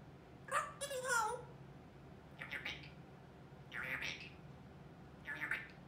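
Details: A 21-month-old female grey parrot talking in a quiet room: a drawn-out, voice-like phrase, then three shorter chattering bursts spaced about one and a half seconds apart.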